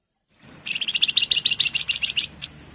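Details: Wergan jawa, or Javan fulvetta, singing energetically: one fast run of about fourteen sharp, high, buzzy chirp notes lasting under two seconds, followed by a single isolated note, over a soft low hum.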